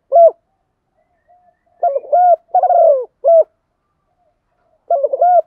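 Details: Spotted dove calling in the morning: soft, hollow coos in short phrases of two to three notes, pausing briefly between bursts, with a quiet background.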